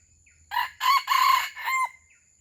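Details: Red junglefowl from Aceh, a pemikat lure bird kept to attract wild junglefowl, gives a harsh crow in four bursts, the long middle phrase loudest, the last trailing off; a faint steady high whine runs behind.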